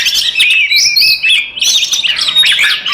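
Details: Oriental magpie-robin fighting song, five birds used to provoke rivals. A short burst of sweet whistled slurs and quick twittering, with notes sliding down and then up, sung without a break.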